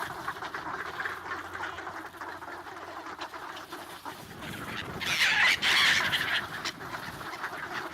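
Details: Black-headed gulls crowd to be fed bread at a swan lake in Ibaraki, Japan, on 28 December 2017, with swans and ducks nearby; dense overlapping harsh squealing calls, swelling into a louder burst of shrill cries midway.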